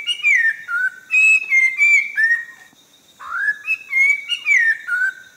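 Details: Orange-breasted laughingthrush, a bird endemic to the Langbian Plateau of southern Vietnam. It gives clear, loud whistled phrases, some sliding down and some rising, in two bursts separated by a pause of about a second. The background is quiet.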